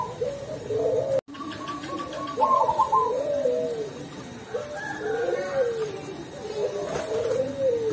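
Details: Local Perkutut Cemani zebra dove in Tulungagung, singing steadily in the sweet 'ulem' style: repeated low, bubbling coo phrases about four per second, with a higher trilling bird overlapping and a short break near the start.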